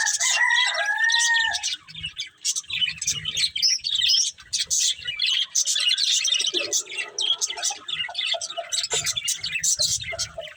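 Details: Budgerigars eating greens: a few curved whistled chirps open a long stretch of busy, scratchy, high-pitched warbling chatter.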